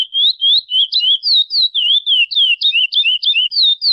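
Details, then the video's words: Chestnut-bellied seed finch (curió) singing free in nature: a rapid, unbroken run of clear, sweet whistles, each slurred up or down, about four notes a second, with no other sounds. "Lindo curió cantando"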